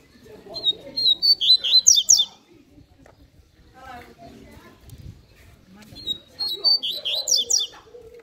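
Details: Double-collared seedeater singing in the "canto fibra" style: two bursts of high, rapid whistled and trilled notes, each about two seconds long, separated by a quieter stretch of faint chips and people talking.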